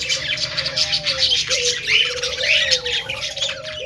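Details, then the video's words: Several budgies chattering happily in busy, buzzy warbles and chirps over a steady low wavering hum-like tone that rises and falls. "cute budgies making happy sound"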